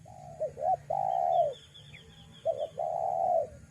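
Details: Lure call of a spotted dove for attracting wild doves: two quick looping notes then a long sustained falling coo, repeated twice, with faint high chirps from another bird behind.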